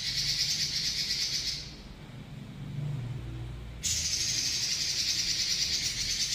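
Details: Robin giving a long rolling song: a dense, high, buzzing trill that runs, breaks off into a low rumbling pause with faint background noise, then resumes just as steadily.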